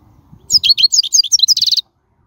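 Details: Wild European goldfinch singing, for training young birds, a clear fast sequence of bright twittered notes, rising and falling, ending in a quick trill of repeated chips over about a second.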